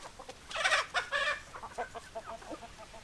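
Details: Hens clucking: a loud burst of broad, raspy squawking clucks in the first second and a half, followed by quicker, softer clucks trailing off.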